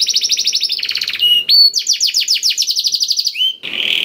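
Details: Song of a black-throated canary, played to get other canaries singing, moving through fast high trills, a held whistled note, a run of downward sweeps and a closing buzzy burst.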